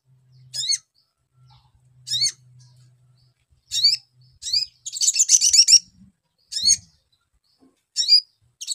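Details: Sogon lure recording meant to prompt a young bird to respond fast: sharp high chirps repeated every second or two, with one longer rapid twittering burst in the middle and a low hum underneath.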